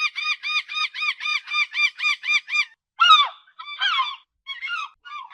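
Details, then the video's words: Gull by the sea giving a rapid, evenly spaced series of about eleven laughing notes. Louder, harsh, down-slurred screeches follow, breaking into shorter ragged cries. "SOM DE GAIVOTA"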